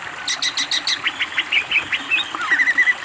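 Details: Master recording of a greater green leafbird in full song: a rapid burst of harsh pulsed clicks, followed by a string of short whistled notes and a closing buzzy trill.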